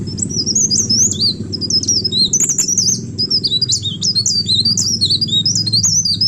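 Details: Energetic leaf warbler song for luring other birds: dense, very high squeaky twitters and slurred whistles tumbling rapidly without a break; soft low hum in the background.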